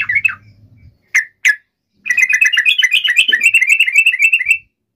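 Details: Yellow-vented bulbul song used as a lure to call a rival: a few short chirps, then a continuous run of fast, bubbly, chattering notes lasting over two seconds, with a brief low thump partway through.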